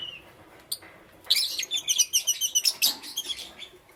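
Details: Green, yellow and lutino lovebirds heard in the morning: a couple of isolated squeaks, then a dense, rapid chattering run of high shrill chirps lasting several seconds.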